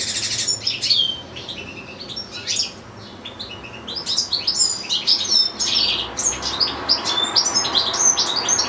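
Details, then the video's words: Sustained song from a caged European goldfinch, one of two housed with two little goldfinch-canary hybrids: opening chatter, a short quieter gap, then a long busy stream of sharp chirps, trills and buzzy notes. "ΚΕΛΑΗΔΉΜΑΤΑ ΑΠΌ καρδερίνες"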